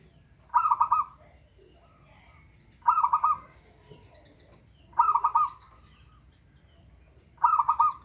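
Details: Zebra dove of a local strain, sung as a lure for a dove unwilling to sing: four rapid rolling phrases of about four pulsed coos each, repeated roughly every two to two and a half seconds.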